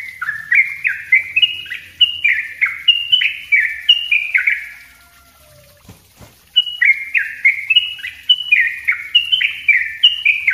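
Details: Yellow-vented bulbul singing a tight, rapid 'ropel rapat' sequence for luring wild birds and tutoring untrained ones: fluty, slurred notes rolling on quickly, broken by a roughly two-second silence before the chattering run resumes.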